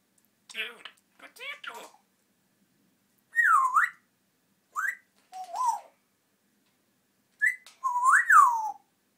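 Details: Pet African grey parrot in a quiet room giving loud clear whistles, several swooping down then up in a V shape, plus short rising notes, after a few soft chattering syllables at the start.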